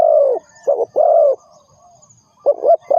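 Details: Spotted dove sound played as a trapping lure: a long low croo, then a clipped note and another drawn-out coo, a pause, and a fresh pair of short coos.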